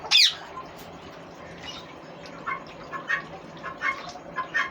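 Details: One loud piercing squawk from a green ringneck parrot opens the recording, followed by several softer, shorter squeaky notes spaced about half a second apart.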